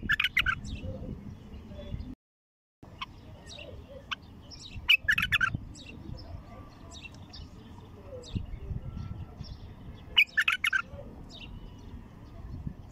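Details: Untamed bulbul giving its first deep-throated song, three brief bubbling phrases of liquid warbled notes spaced several seconds apart, with faint chirps between and a constant low rumble behind.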